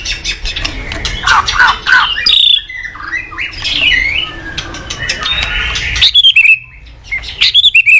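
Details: White-rumped shama singing in the morning, kept as a cage bird and used as a lure for training, with varied whistled and scratchy phrases, some buzzy notes and sudden sharp chips near the end.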